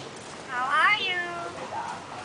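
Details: Common hill myna kept as the talking bird at a house in Hua Hin, Thailand, mimicking human greetings: one clear, voice-like rising and falling harmonic phrase, like a spoken hello, over quiet background hiss.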